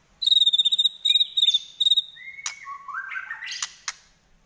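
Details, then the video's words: White-rumped shama in fighting song with trotol delivery: a fast, even rattle of high repeated notes in three bursts, then a long whistle and lower rapid tumbling notes, with a few clicks. "Murai Lepas Trotol Tarung"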